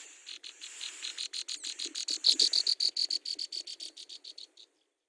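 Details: Hungry Brown Prinia nestlings being fed by their mother in the nest: a fast, steady train of high, thin ticking notes, about three or four a second, swelling in the middle then fading, with a few low rustles beneath.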